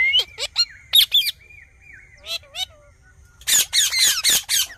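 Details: Talking Indian ringneck parakeet: harsh, broadband screeches in quick bursts mixed with thin, level whistles and short dipping tonal notes, ending in a dense run of rasping squawks.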